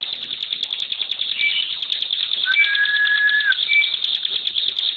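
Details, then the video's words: Caged Bar-winged Prinia (ciblek gunung or pinus) kept as a contest songbird, giving its dense rapid-fire 'tembakan' song: a continuous high shrill band of rapid notes, with a few brief higher whistles and one longer, lower flat whistle in the middle. "TEMBAKAN SUPER RAPAT..!!! CIBLEKPINUS GACOR"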